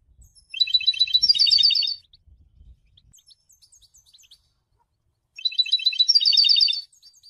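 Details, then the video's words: Goldfinch song for attracting females and announcing presence: two dense twittering bursts of rapid high notes about five seconds apart, faint chips between, with low background rumble. "Golden songs for goldfinch voices"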